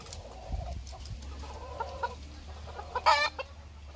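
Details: Bantam chicken, bored and wanting out, gives soft low clucks amid steady background noise, then one sudden loud, brief, harsh squawk near the end.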